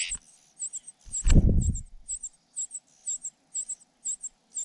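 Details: Young cuckoo calling while foster parents feed it: a run of sharp, very high squeaks in quick succession, with one deep thumping rustle near the start and a low steady hum beneath.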